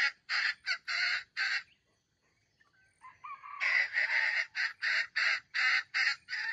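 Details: Red junglefowl bait bird, described as old but crowing with a young voice, used in trapping wild jungle chickens. Choppy hoarse bursts fade to a lull with faint whistles, then a louder stuttering series of rough notes resumes.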